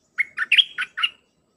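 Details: Red-whiskered bulbul singing a dense 'dok' phrase, used to train hand-fed young birds: five rapid, bright warbled notes with a lifted whistled middle note, with no other sounds.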